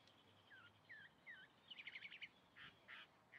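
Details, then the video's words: Chalk-browed mockingbird singing: a few downslurred whistled notes, then a quick run of sharp, chirpy notes and short buzzy bursts, all fairly faint against steady background hiss. "Calandria cantando"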